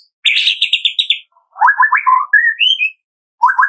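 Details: Captive-bird lure featuring a Medan White-rumped shama song in the morning: a rapid chattering trill, then lower rolling warbled notes and clear rising whistles, another trill starting at the end.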